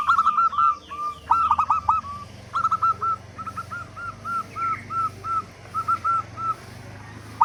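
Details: Big-voiced local zebra dove, meant to make other doves start calling: rolling trilled coo phrases followed by a long, slightly slowing run of soft repeated notes, with faint higher chirps early on.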